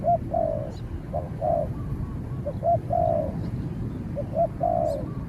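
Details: Spotted doves cooing in a territorial standoff between a caged decoy and a wild bird keeping its distance. Irregular short and longer hollow coos, with faint voices and ticking sounds in the background.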